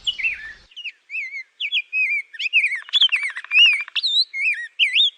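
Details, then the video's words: Clear, separate chirped notes from a bird, each a quick slurred up-and-down whistle, delivered irregularly with brief silences between them. "चिड़िया की आवाज"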